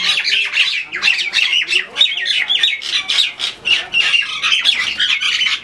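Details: In Bangladesh, fighting common mynas make a loud, steady barrage of hoarse, scratchy squawks and rapid chattering, packed closely with few gaps.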